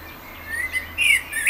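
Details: Common blackbird singing: a short run of clear, fluty whistled notes that rise at the end into a brighter, higher phrase. The background is quiet.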